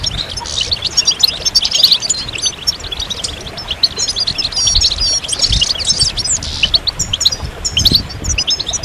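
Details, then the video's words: Goldfinch song of high, glittering twitters and thin buzzy trills, jumbled and rapid across the whole stretch, with a quiet background hiss and a low thump now and then. "Magical Goldfinch Songs"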